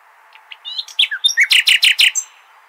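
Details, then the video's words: Nightingale singing a Hasaniya-style phrase used to teach young goldfinches and hybrids: several varied thin whistles and slurred notes leading into a run of five loud, harsh, evenly repeated chips. "اجمل تغاريد العندليب ( الحسنية )"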